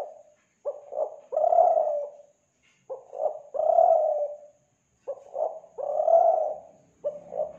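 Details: Spotted dove call from Kelantan used to lure doves: three rounds of a clipped double note followed by a long, full, soft coo, with short pauses between rounds.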